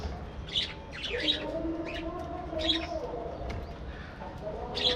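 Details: Budgerigar flock kept in a breeding aviary colony: scattered squeaky chirps and short warbled notes come in bursts over a sustained low drone of tones in the background.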